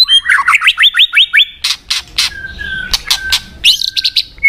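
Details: White-rumped shama (murai batu) song used as a pancingan, a lure recording meant to make a listless shama more combative: a fast run of repeated rising whistled notes, then harsh buzzy bursts, a thin steady whistle and more quick varied notes.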